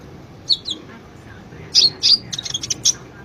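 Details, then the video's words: Konin sunbird song from a master recording for training caged birds: a few isolated high chirps, then a quick cluster of sharp, piercing notes and a short trill. "Suara burung konin Kolibri ninja gacor masteran burung konin"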